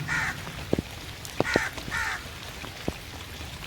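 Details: Crow calling in the rain: three harsh, nasal caws, one near the start and a close pair around mid-clip, over steady rainfall with sharp drip clicks.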